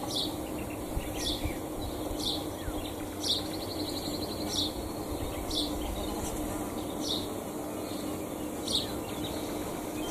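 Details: House sparrows feeding give short, bright chirps about once a second over a steady high whine and a low rumble of distant traffic.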